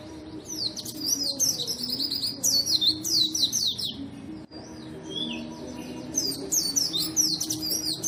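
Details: Lively white-eye song for prompting silent white-eyes to sing: continuous fast, high twittering made of tumbling downward-slurred notes, briefly broken by a short pause, then resuming, with a low hum beneath.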